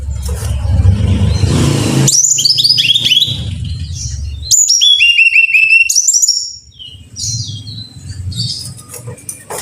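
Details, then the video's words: Brown-chested jungle flycatcher song meant to train caged birds: after two seconds of rumbling noise, quick series of high, downward-stepping whistled notes come in bursts, separated by pauses and fainter twitters. "Pancingan Masteran Suara Burung (SIKATAN RIMBA DADA COKLAT)"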